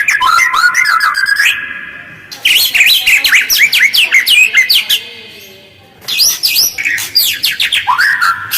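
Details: White-rumped shama lure song, rough and fast with close pauses, meant to draw replies from other birds: dense bursts of sharp chirps and whistled slurs, interrupted by a brief quiet gap, then resuming rapidly.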